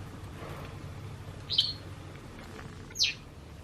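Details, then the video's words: A white wagtail of a pair seen in the run-up to spring gives two sharp, high chirps about one and a half seconds apart, the second a quick downward sweep, against a faint low hum. "ハクセキレイのセキ助とモミ子 - 春に向けて2羽の変化 Part 4"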